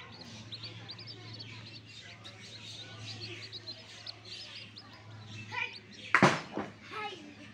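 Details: Newborn backyard chicks peeping: a steady stream of short, high, downward-slurred cheeps repeated rapidly throughout, with a steady low hum beneath and a sharp loud knock near the end.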